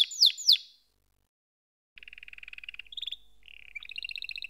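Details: Canary song: two sharp downward whistles, a pause, then soft rolling trills at shifting pitch, a short held whistle and a bubbling higher trill; fairly quiet.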